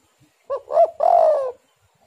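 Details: Spotted dove song used as a lure to prompt other doves to sing: a short soft coo, a stronger rising coo, then a long, slightly wavering coo, all within about a second. Quiet background.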